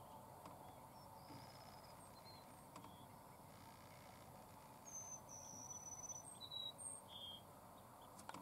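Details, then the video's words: A Cassin's sparrow (Peucaea cassinii) at Laguna Vista, Texas, 3 April 2016, gives its flight song: a long, high, sweet whistle followed by a few short, thin notes, faint over steady rural background hiss. "Cassin's Sparrow (flight song)"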